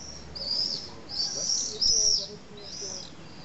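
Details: Common swifts at a retaining-wall nesting colony in Nice, France. Shrill, high screams come in several bursts, with faint lower sounds in the background.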